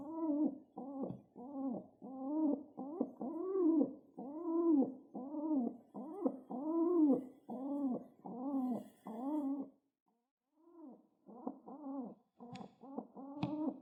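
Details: Pet pigeon excitedly pecking the ground, hoping to be petted, gives a rapid run of low, throaty, arching coos, about two each second, with a brief pause near the end before resuming.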